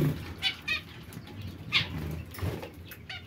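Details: Zebra finch calls: a few short, bright, nasal beeps in small clusters, separated by pauses, over a low background rumble.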